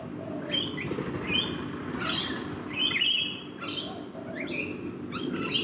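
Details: Rainbow lorikeet parrots feed in a backyard, trading harsh, buzzy squawks and shrill chattering notes about once a second, a few high thin whistles among them, over a low background hum.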